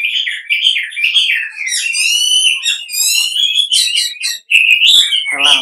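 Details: Lure sound of the wambi used to make other wambi respond: a sustained stream of wavering whistles and buzzy harmonic notes, nearly unbroken, with one short gap late on.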